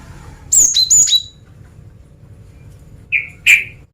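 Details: Female cinereous tit singing to draw in males: a pair of high, clear whistles falling in pitch, then after a pause two short, lower harsh chirps.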